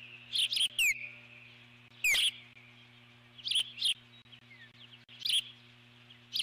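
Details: Eagle sitting on the nest alert-calling at a passing intruder, possibly an osprey or another eagle: scattered high chips and quick falling whistles in loose clusters, separated by quieter gaps, with a low mechanical hum throughout.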